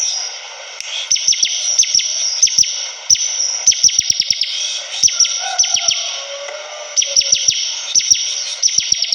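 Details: Bar-winged prinia in full, persistent song: bursts of rapid high chirps and clicking ticks, broken by short pauses. A faint lower warbling runs in the middle over a constant high hiss.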